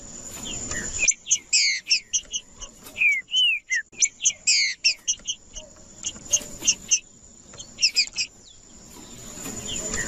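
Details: Green-winged saltator singing to warm up other birds, mixing sharp chipping bursts and a few downward whistled slurs in irregular groups, with a constant high thin tone and some low background noise.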